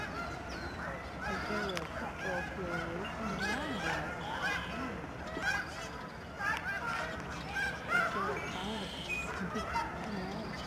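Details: Huge flocks of snow geese, flying and swirling down at the George C. Reifel Migratory Bird Sanctuary, Delta, Canada, in March 2011. Countless overlapping honks, some curved and yelping, build into a loud, continuous clamour.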